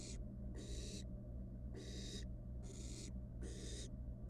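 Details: Wild barn owl nestling in a monitored nest box, playing with its dinner; harsh broadband hissing screeches about half a second long, repeated with irregular gaps, over a steady low electrical hum.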